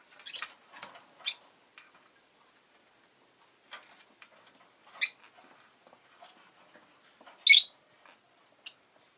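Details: Rosy-faced lovebird chirping: short, shrill, harsh high chirps in scattered bursts, two or three close together at the start, then single loud calls at about five and seven seconds, with faint ticking noises between.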